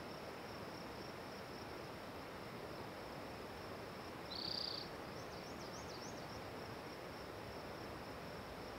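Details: Song of a spotted towhee: a single brief, dry, buzzing trill near the middle, followed by faint wavering whistled notes from another bird, all over a steady shrill insect-like drone.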